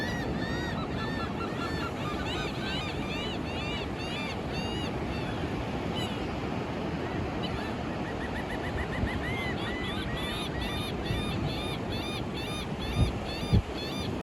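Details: Seagulls calling on a Florida beach at sunrise, a mostly sunny March morning with gentle breeze: a series of arching, squealing calls, some in quick runs, above constant crashing surf.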